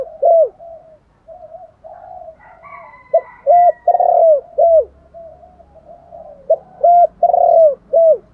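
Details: Spotted dove giving a luring call: loud low hooting coos in phrases of four, the third note longer and swelling, repeated twice, with softer distant coos and faint higher chirps between phrases.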